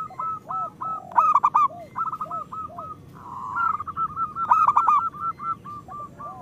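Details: Persistent singing of a local zebra dove, meant to coax reluctant or moulting caged doves into song: soft, rounded cooing notes tumble in uneven bursts, with a lower swooping coo and a smooth rolling trill between sharper stuttered notes.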